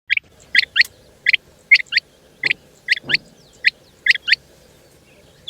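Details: Female rain quail, locally called chinga batair, calling: sharp paired notes given in quick couplets, each pair spaced roughly half a second apart, repeated steadily over a quiet background.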